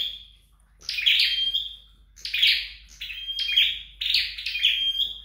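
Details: Scarlet-backed flowerpecker in home training: after a brief silence come four or five chattering high bursts, several ending in a level piping whistle, in a quiet indoor setting.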